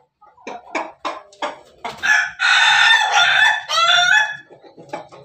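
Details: Pelung chicken crowing: a few short clucks, then one long loud harsh crow held for about two seconds with a strained wavering quality, ending in softer clucks and low background noise.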